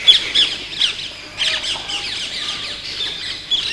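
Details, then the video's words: Painted spurfowl giving harsh, scratchy chattering notes in quick overlapping bursts, with a few thin high whistles mixed in. "Painted Spurfowl"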